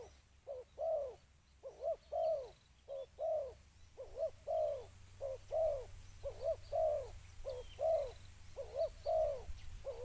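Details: Spotted dove cooing to attract birds: a long run of low paired notes, short then longer and downslurred, repeated evenly for ten seconds, with faint background chirping.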